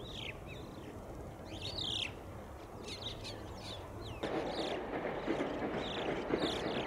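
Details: Several crested mynas from a growing resident flock give varied squeaky, whistled notes and chatter over steady low background noise, recorded 12 January 2020.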